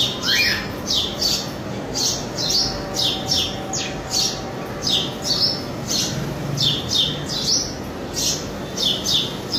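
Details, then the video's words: A male house sparrow gives loud, harsh chirps, two or three a second, in a steady run over a faint background hum. "beautiful male sparrow chirping sound"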